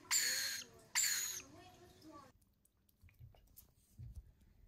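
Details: Baby lorikeets during hand feeding give two loud, harsh rasping bursts in the first second and a half, followed by a few softer tonal sounds and quiet room noise.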